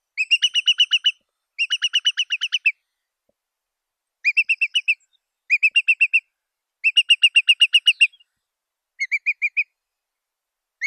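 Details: Curlew calling in rapid bursts of clipped, bright piping notes, about four per second, each burst lasting roughly one second and separated by short pauses; no other sounds.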